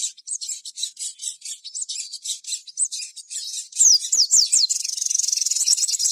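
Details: Sogon singing gacor as a lure to make other sogon sing. A fast, high, buzzy twitter leads into several clear descending whistled slurs, then a rapid, even, high trill.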